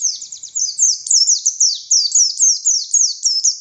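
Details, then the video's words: Oriental white-eye, buxtoni form, singing a relentless ngalas-style run of shrill, high whistled notes, each sliding sharply downward, repeated nearly four times per second without a break. "Burung Pleci Buxtoni Gacor Konslet Full Tembakan Ngalas Ngotot Fighter"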